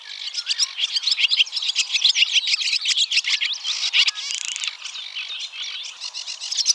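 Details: Barn swallow (Hirundo rustica) singing a fast, continuous twitter of high chirps and squeaky warbles, broken by brief dry buzzy rattles.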